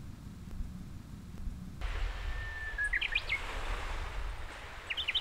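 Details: Bush warbler singing on Oeyeondo island, Boryeong, South Chungcheong, Korea, on 3 May 2023: a long, steady whistle followed by a quick burst of sharp rising notes, then a short high flourish, over low rumbling background noise.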